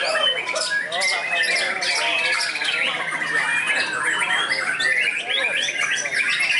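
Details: Trained white-rumped shama with a rich mimicked repertoire, tested at a contest field: rapid varied phrases of whistles, trills and sharp chips spread from low to very high pitch, run together with barely a pause, over steady background chatter.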